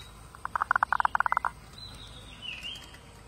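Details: Zebra dove singing a quick, clipped series of soft cooing pulses that run together in a rapid stutter for about a second, followed by a faint thin whistle from another bird.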